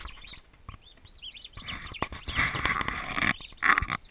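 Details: Newly arrived baby turkeys, twenty of them, in a farm nursery giving rapid overlapping whistled peeps, each a short rise-and-fall note, with rustling and scratching noise swelling in the second half.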